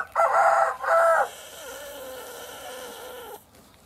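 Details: While laying an egg, a hen gives two loud, strident squawks in quick succession, then a long, softer, gently falling drawn-out note.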